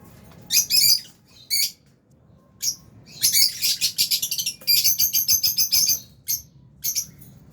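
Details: Lovebirds in an aviary colony of albino and Fisher's birds chatter in loud, shrill chirps, a long rapid series of evenly spaced notes in the middle, several per second, with quieter separate calls around it.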